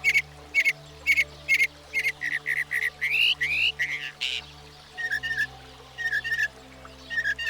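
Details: Northern Mockingbird, said to learn up to 200 sounds, singing varied phrases: repeated whistled notes, a few rising slurred whistles, then lower doubled notes, each motif repeated several times before switching.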